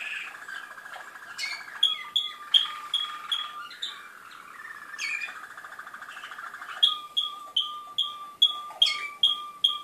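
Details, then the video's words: Malinois canary song recorded in Skopje: rolling trills shifting pitch, broken by sharp bright chips, then a low steady tour with rhythmic ringing notes repeated about every half second. "malino kanarinci"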